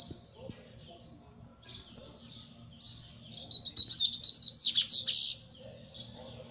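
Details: Double-collared seedeater song: soft high chirps at first, then a loud, fast run of sharp twittering notes from about three to five and a half seconds, ending in a few quieter chips. A faint hum lies beneath.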